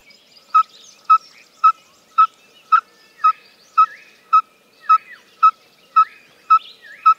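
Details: A male Yellow-fronted Tinkerbird (Pogoniulus chrysoconus) sings a steady run of mid-pitched, hollow popping notes, nearly two per second, while other birds twitter faintly behind it.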